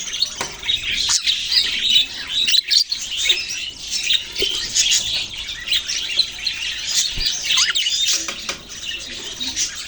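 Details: A continuous budgerigar chorus of high twittering chirps and warbling chatter from many Australian parrots. A few sharp clicks cut through the chatter.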